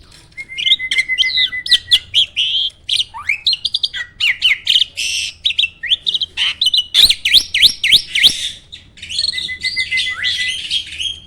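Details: Indonesian jalak starling, a farm-kept songbird, delivering a loud, continuous medley of shrill chirps, rapid clicks and squeaky warbles, with a long steady whistle near the start and again toward the end.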